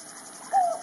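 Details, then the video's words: African scops owl giving one short, low, slightly falling note lasting about a third of a second, rising out of a steady background hum of insects. "African Scoops Owl"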